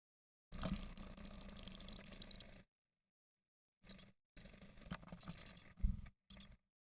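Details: Chickadee nestlings being fed by their parents give a thin, high, squeaky chorus of begging calls in two bursts, with low thumping and rumbling underneath.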